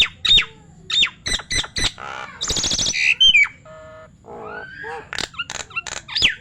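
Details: Nias hill myna said to be able to talk, indoors: sharp squawks, short whistled notes and harmonic speech-like phrases in quick bursts, with a buzzy harsh stretch midway and a few clear tonal notes near the end.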